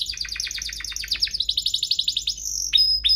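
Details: Two pet canaries in energetic song, offered as a lure and tutor for canaries; a quick run of repeated descending chirps speeds into a rolling trill, ending in sharp whistled notes.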